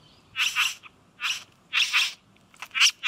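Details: A male satin bowerbird (Ptilonorhynchus violaceus) courting a female at a blue-plastic-filled bower on a suburban street verge, Australia, October 2018, gives harsh, buzzy, rasping bursts, about five in three seconds, some doubled, with quiet gaps.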